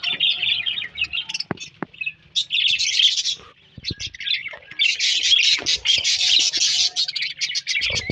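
A parrot chatters in rapid, high, scratchy chirps and squawks, broken by brief pauses, with a few sharp clicks in between.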